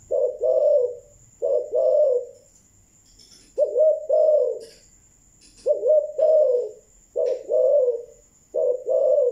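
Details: Spotted dove, Malaysian type, cooing in the thúc gù style: paired low, throaty coos repeated in regular phrases roughly every one and a half seconds, with quiet gaps between and a thin constant high tone in the background.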